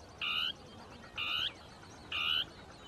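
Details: Dusky tapaculo (Scytalopus fuscus) delivering its territorial song from scrub, two birds interacting; three strong nasal churring notes spaced about a second apart, each a steady harmonic burst.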